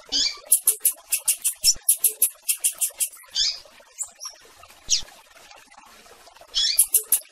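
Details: Rusty-collared seedeater calling to attract a female: a fast series of a dozen sharp, high, buzzy notes, then a few slurred whistled sweeps before another burst of sharp notes at the end.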